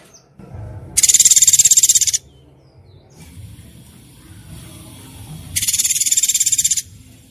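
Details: Training fill-in song for murai batu (isian tembakan): two separate, fast, rattling high trills, each lasting about a second, with quieter background sounds between them.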